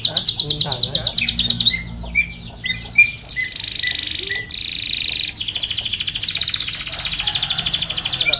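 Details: Canary song for training and luring canaries: rapid trill, a few short chirps and pauses, then a long, dense, buzzy trill with abrupt shifts in tone.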